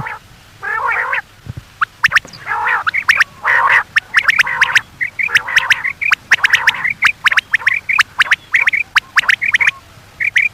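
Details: Quail calling, played to lure birds at night: a dense series of sharp clipped notes in quick doublets and triplets, with nasal buzzy bursts early on and many birds overlapping.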